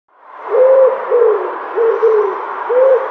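A dove gives four soft, low, hooting coos, each under half a second, spaced about a second apart, over a steady background hiss.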